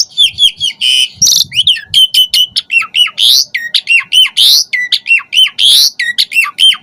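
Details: Asian pied starling pouring out gacor lure song with filler variations: fast, almost continuous series of looping, dropping whistled notes about every quarter second, broken by a few harsh buzzy bursts.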